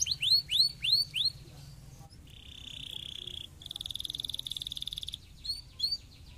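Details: Canary song used to stimulate lazy canaries to sing: a series of rising, curved whistled notes repeated about four times, then a steady held tone, a fast buzzy trill, and a couple more upswept whistles over a low hum.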